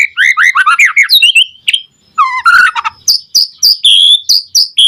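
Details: Energetic white-rumped shama song meant to draw other shamas into singing: tumbling rapid whistles, a brief pause, a scratchy chattering burst, then crisp high whistled notes repeated evenly.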